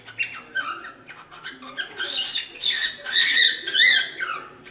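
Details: Cockatiel squawking and chattering: a string of harsh, harmonic screeches of uneven length, growing louder toward the end, with a faint low hum in the background.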